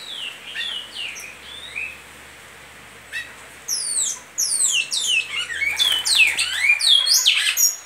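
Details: Great-billed seed finch in Goiano liso song style: soft scattered whistles at first, then after a short lull a loud burst of fast, tumbling downward-sweeping whistled notes with a faint low hum beneath.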